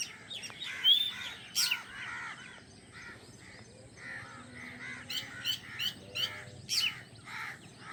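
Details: Baby drongos in the nest, newly hatched, beg while waiting for the mother bird to bring food. Sharp, grating calls come in bursts, with quiet gaps and then a rapid run of rasps near the end.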